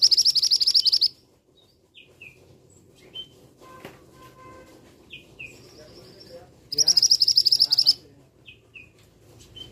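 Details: Male scarlet minivet giving a rapid burst of about twelve sharp, high repeated notes lasting about a second, then quiet, with scattered short downslurred chirps from other birds, and the same fast burst returning near the end.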